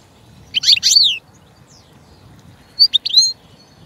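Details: European goldfinch (Carduelis carduelis), a small, brightly patterned finch: two short bursts of high, twittering, slurred notes about two seconds apart, with faint low hum beneath.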